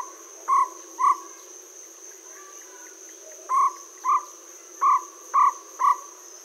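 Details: Jungle owlet (Glaucidium radiatum) at Aldona, 4 March 2014, 7:16 pm, giving short, hollow mid-pitched hoots, about seven notes roughly half a second apart in loose groups, over a steady high cricket trill.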